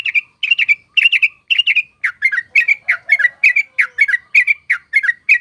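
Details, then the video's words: Yellow-vented bulbul song used as a lure for trapping birds: loud, bubbly, slurred phrases repeated in quick rhythmic bursts, about two per second, steady and clear against a quiet background. "KICAUAN TRUCUK AUTO GACOR!!! DIJAMIN COCOK UNTUK PIKAT AUTO GACOR!!!"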